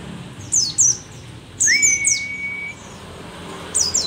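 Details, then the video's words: Aged but still keen-singing mountain white-eye, the rare Merapi endemic called pleci dakun: three groups of high, bright, falling tweets, overlapped by a level whistled note lasting over a second. "pleci merapi tak kan pernah ingkar janji, tua tua gacor"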